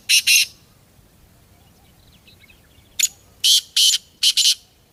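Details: Jungle black francolin repeating its rasping call: a paired harsh burst at the start, then after quiet a full phrase of one short note, two loud grating bursts and a quick closing pair.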